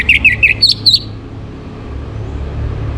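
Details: Orange-headed thrush morning song, played to stimulate breeding condition: three quick whistled notes dropping in pitch, then two higher whistles, all within one second, before low background rumble.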